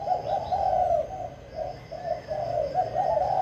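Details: Spotted dove singing kích bổi style in captivity, Vĩnh Long, Vietnam. Near-continuous burry coos, one drawn-out note then a string of short rolling coos, with light bird twitters in the background.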